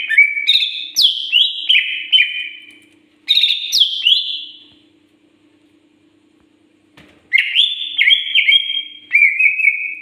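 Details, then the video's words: Greater green leafbird, known locally as cucak ijo, described as singing in lively gacor form: loud, clear whistled phrases of stepped and sliding notes, given in three bursts with a long silent pause in the middle, over a faint steady low hum. "sudah gacorkah burung cucak ijo kalian"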